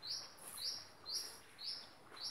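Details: A long-tailed shrike being tamed gives thin, high, upward-sweeping chirps, about two each second, five in all, over a faint background hiss.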